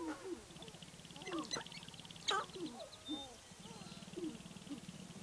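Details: Sharp-tailed grouse near Baudette, Minnesota, with several overlapping birds giving downslurred whoops and short clucks, mixed with a sharp crack and a steady fast pulsing background.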